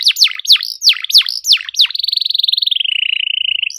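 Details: Canary song used as a lure to start a canary that has stopped singing, delivered in tight rapid bursts: about six sharp downward-sweeping whistles, then a long, steady, buzzy trill held for nearly two seconds.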